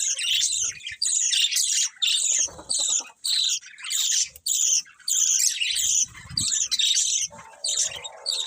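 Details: A group of colourful pet budgies chatters in repeated scratchy bursts, near fifty per minute, each a tangle of high squeaky chirps, with occasional soft low bumps.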